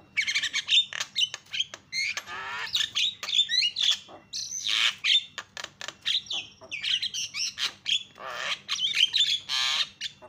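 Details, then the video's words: A Javan myna calls non-stop to provoke other mynas. Dense, harsh squawking and grating chatter runs throughout, mixed with short whistled notes. "BIKIN JALAK KEBO JADI TERIAK"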